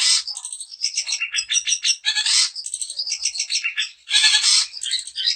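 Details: Long-tailed shrike, daput style, singing to stir rival shrikes into song: continuous jumble of high twittering, scratchy and whistled notes with loud harsh bursts at intervals.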